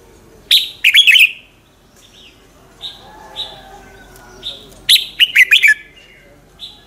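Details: Morning singing of a red-whiskered bulbul, played as a lure bird to train others: quick phrases of bright descending whistles, with short single notes between them and soft background noise.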